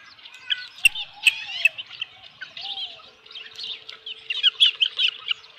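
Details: Ranch osprey nest, 15 July 2018, 7:55 PM, fish brought without its head: excited, high squeaky chirps in clusters, with a sharp knock and a lower, softer whistled note from another source.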